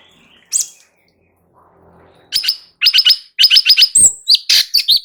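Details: Light-vented bulbul in energetic song used to make other birds answer: one isolated chirp, then fast clusters of sharp repeated notes building into a dense run of whistles.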